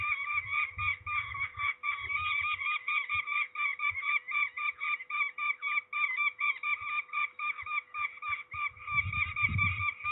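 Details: Peregrine falcon at Trzebież, Poland, ringed on 13 May 2019, gives a long rapid series of harsh, rasping notes, about four per second, fairly clean apart from low rumbling at the start and end.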